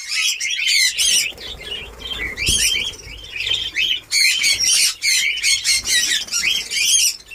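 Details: Newly formed budgerigar breeding colony, caged, in Darbhanga, Bihar: clusters of sharp, rapidly repeated squawks and warbling chirps from several birds, rising and falling in bursts, with a soft low thud midway.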